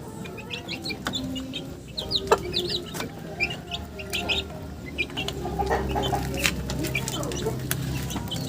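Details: Chickens give scattered short clucks and squeaky notes over a loud low-pitched background hum, with a few sharp clicks.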